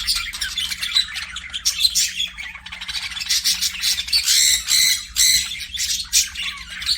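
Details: Aviary budgerigars chattering: quick harsh squawks mixed with thin chirps and short warbled notes, several birds overlapping, bursts swelling and fading, soft hum underneath.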